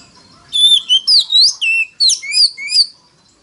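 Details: Oriental magpie-robin singing to lure rival wild birds: short phrase of clear, high whistles and swooping slurs, about eight notes in under three seconds, in a quiet setting.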